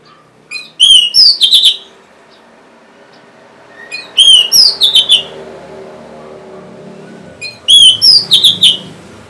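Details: Orange-headed thrush song for prompting reluctant caged singers: the same short phrase of rising whistles ending in a rich warbled flourish, repeated three times at roughly three-second intervals.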